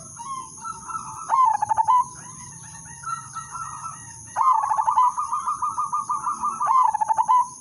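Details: Zebra dove (udanmas silver) giving melodious lure song to draw other doves into singing: a short coo phrase, softer interlude notes, then a long rapid string of pulsed cooing notes ending in a lower tone; persistent high whine.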